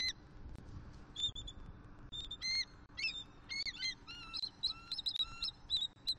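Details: Vocals from a male eagle and his new mate copulating on the attic of their Southwest Florida nest, morning of 1 October 2023. Scattered high piping notes build into a fast, excited run of short chirping and downslurred squeals, with faint low wind beneath.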